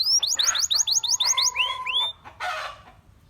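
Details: Gloster canary singing. A rapid series of repeated upswept whistles is followed by longer arched notes over a steady lower tone. Two harsh, noisy bursts break in, the second after a short pause.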